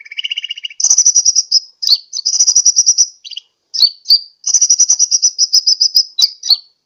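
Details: Sunbird calling to lure birds, Sukabumi, Pajampangan: one short buzzy trill, then long runs of rapid high chattering notes broken by sharp squeaks, nearly continuous for several seconds.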